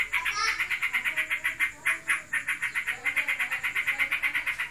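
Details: Sooty-headed bulbul, a kept bird said to be in breeding condition, in ngebren singing style: a fast, steady run of short, bright chirps, roughly two per second, sustained without pause.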